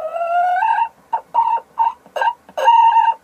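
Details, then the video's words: Sussex hen in the course of laying an egg: a long rising nasal note, then a run of short, clipped squawks, ending with another sustained harmonic call. "La Gallina Sussex poniendo un Huevo"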